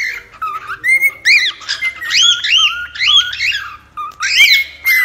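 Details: Cockatiel mixing short level whistles with bursts of rapid arched chirps. There is a clear pause before a final loud flurry.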